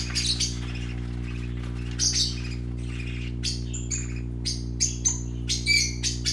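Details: Colourful parakeet babies at play give scratchy chirps mixed with clearer whistled notes, coming in quickening bursts toward the end, with a faint constant low hum.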